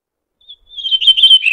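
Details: Red-throated thrush (Turdus ruficollis) song phrase in nature: a thin, high whistle, a short pause, then a swelling warbled note that wavers up and down before dropping lower at the close.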